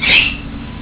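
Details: Caged female kestrel asking for food gives one loud, piercing high call that slides slightly downward and fades within a third of a second, over a low background hum.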